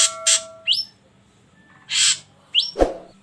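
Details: Ashy drongo lure song, played to get other birds singing: two harsh hissing bursts, then bright upslurred whistles, another rasping burst and a final upswept whistle with a sharp click, over a faint low hum.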